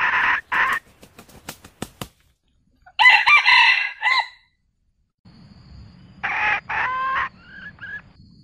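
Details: Male and female red junglefowl calling as a flock, a few sharp clucks then two short, hoarse crowing phrases about three seconds apart, over a low background rumble; the recording is used as a trapping lure.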